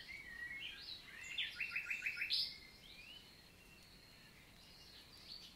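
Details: Morning song of a common nightingale, southern French countryside forest in June; rising whistles lead into a quick series of five or six sharp repeated notes, then quieter distant warbling.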